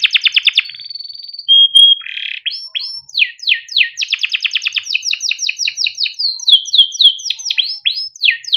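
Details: Long rolling song of a caged male yellow canary used to train young canaries: a rapid trill, short flat whistles, a buzzy burst, then steady series of quick downslurred chirps.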